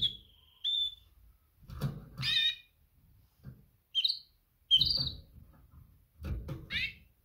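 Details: Female canary mating call directed at males: a level whistled note, then several separate chirps and short buzzy trills, some sweeping down, spaced by brief silences with faint clicks and knocks.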